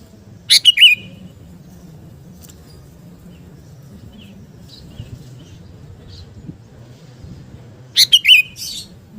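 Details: Sooty-headed bulbul, 'garuda' type, singing to build fighting spirit: one bubbly three-note phrase, then several seconds of quiet low background noise, then another similar phrase.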